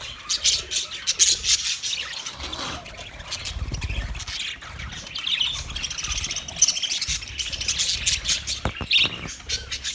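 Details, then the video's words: Continuous scratchy budgie chatter of fast high chirps, squawks and clicks, with warbled whistles woven through and a brief low thud near the middle. "Best Sounds Of Budgie Bird"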